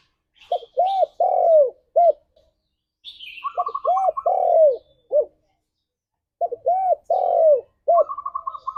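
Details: Spotted dove singing a morning lure song used to stimulate mating. Three mellow cooing phrases, each with a short note, two arched coos, a long falling coo and a short final coo, with a higher twittering trill and faint high chirps between.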